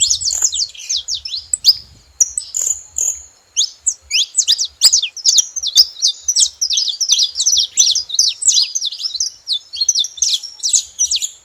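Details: Saffron finch calling at a feeding spot, opening with scattered sharp chirps and a short whistled note, then a dense, fast chatter of high downslurred and upswept notes, with faint low knocks throughout.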